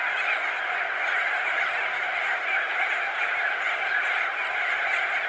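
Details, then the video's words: Crested auklet colony of thousands of birds, perched and wheeling, heard as a thick, even roar of countless overlapping honks and chatters. "Crested Auklet. MC - MCU Calls From Thousands Of Birds Perched And Wheeling Ove"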